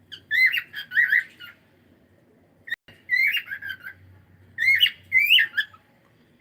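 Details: Pet cockatiel giving bursts of chirpy whistled notes that rise and fall, in three clusters separated by short pauses, with a low room hum beneath.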